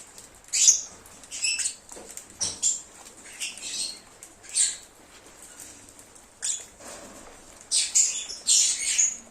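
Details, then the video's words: Lovebirds singing and cheeping, used as a lure to draw back an escaped lovebird: short, shrill, high chirps in separate bursts, some with sharp squeaky peaks, spaced by brief quiet gaps. "SONIDO DE AGAPORNIS. Reclamo ,cómo canta un Agapornis o INSEPARABLE."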